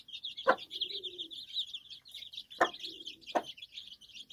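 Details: Chicks beside their mother hen on a farm peep continuously in high, thin notes, broken by three sharp, sudden clicks and a faint low murmur.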